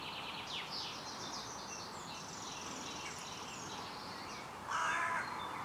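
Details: Carrion crow (Corvus corone) chattering undisturbed a few metres from an observer on a windy, cool, overcast mid-May day, giving short, hoarse, downslurred caws ending in a louder harsh burst; breezy background with faint other bird notes.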